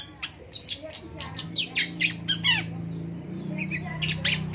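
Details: Long-tailed shrike in morning song: rapid harsh squawking notes and short sharp chips in quick succession, over a low steady hum.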